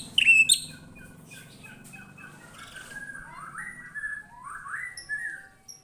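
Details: White-rumped shama singing in response to a lure recording: a loud sharp note at the start, then a run of rising, slurred whistled phrases repeated across the clip, with a low hum in the background.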